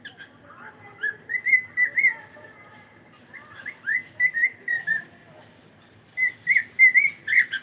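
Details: Cockatiel singing in the morning: bursts of bright whistled chirps and warbles around the upper-middle range, in three phrases separated by short pauses, with faint background hum.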